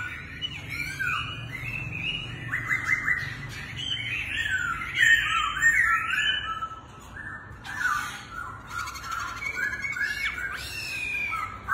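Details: Laughingthrush dancing like a circus act pours out dense, continuous whistled warbling with many rising and falling notes over steady background noise.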